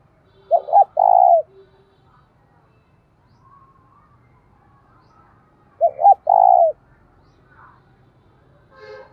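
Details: Spotted dove kept as a decoy, calling to stimulate other doves to coo and fight: two identical phrases about five seconds apart, each two clipped low notes then a long coo, with faint quiet notes between.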